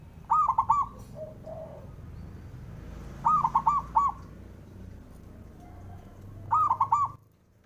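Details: Male local zebra dove singing to provoke rivals into answering: three bursts of rapid, bubbling staccato coos, each about half a second long, mid-pitched with ringing overtones, spaced roughly three seconds apart over a low background hum.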